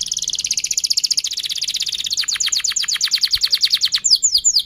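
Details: Canary delivering a long song used to coax other canaries into singing, a dense high trill that shifts into rapid repeated slurred notes, then sharp downward sweeps.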